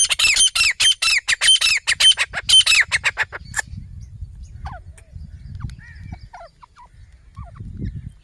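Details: Pair of desi grey francolins, caged birds filmed in a jungle setting, heard in the call used to lure francolins for hunting. A harsh, rapid, repeated squawking series lasts about three and a half seconds, then fainter scattered chirps over low rumbling background noise.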